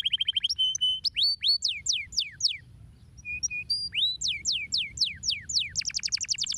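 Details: A canary sings to stimulate other birds: a quick chip series, a whistled note, a cascade of sharp falling sweeps, a pause, more descending slurs, and a fast buzzy trill at the end.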